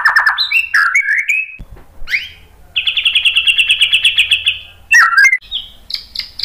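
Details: White-rumped shama song used as a lure to provoke other birds into singing: varied loud whistles and slurred notes, then a rapid rattling trill of repeated notes, ending in sharp chattering phrases.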